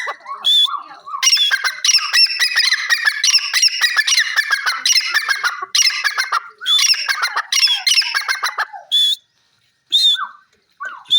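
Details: Grey francolin chorus of loud, grating, fast-repeated notes in long bursts broken by short gaps, ending with a few isolated ringing calls.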